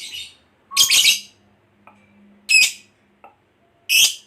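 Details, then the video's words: Fighter-type lovebird, a hobbyist's bird, used as a lure to set other lovebirds chattering: a few harsh, shrill squawks and chirps, some paired, separated by short silences, plus a faint low hum in the background. "Suara Burung Lovebird Ngekek Panjang Memanggil"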